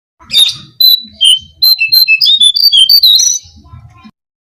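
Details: Brown-cheeked fulvetta song played to lure birds: a few steady whistles opening into a quick series of sweet, slurred notes wavering in pitch, with faint low noise.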